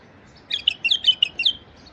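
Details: A male White-eared bulbul, singing to draw in wild bulbuls, gives a quick, bubbling phrase of five or six liquid whistled notes, lasting about a second, over a quiet background.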